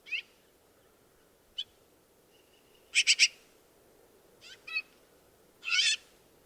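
Harsh, rasping Black-billed Magpie notes: scattered single squawks, then a quick grating triple near the middle and a longer scratchy burst at the end.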